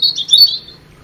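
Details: European robin giving a quick, sweet tumble of high notes lasting about half a second that fades away into quiet hiss.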